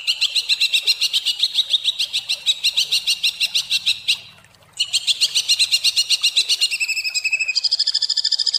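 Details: Greater green leafbird (cucak ijo) delivering a coarse, tightly packed song of rapid rattling bursts, broken by a brief pause midway, then resuming with shifting harsh trills; a recording meant to teach other songbirds.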